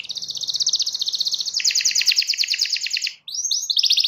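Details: Canary singing to a rival: a long fast rolling trill that drops lower partway, a short silence, then rising whistled slurs and a bright buzzy phrase.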